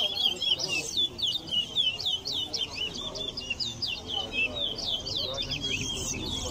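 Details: Chestnut-bellied seed finch (towa towa) singing in a bird singing competition in Berbice, Guyana: a fast, continuous twittering warble of high, sweet whistled notes and trills, with a person counting numbers aloud in the background.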